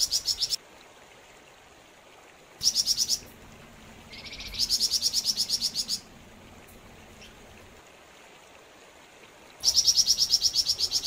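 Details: Flamboyan bird in full song, delivering several bursts of fast, high, metallic chips in regular rhythm, each burst lasting about a second, separated by quiet gaps, one burst preceded by a lower rising buzz.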